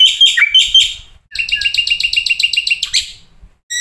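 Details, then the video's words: Black-winged starling song with fill-in phrases: squeaky whistled notes with quick downward slurs, then a rapid run of repeated bright chips, a sharp upward flick, and a final brief burst; faint low background rumble. "masteran jalak putih suara full isian"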